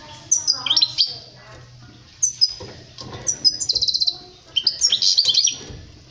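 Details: European goldfinch song, used as a tutor recording for teaching young birds to sing, 2020: bright tinkling twitters and quick liquid trills in bursts, including a rapid buzzy rattle near the middle, with short pauses between phrases.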